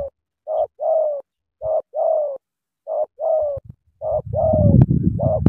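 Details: Spotted dove from Cà Mau cooing in clean paired phrases, a brief note then a drawn-out, slightly falling coo, repeated four times before low rumbling noise rises at the end.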